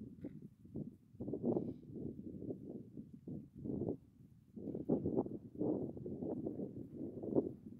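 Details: Adélie penguins on the sea ice at Cape Hallett give harsh, low, braying calls in rough pulsed bursts, several per second, rising and falling in loudness.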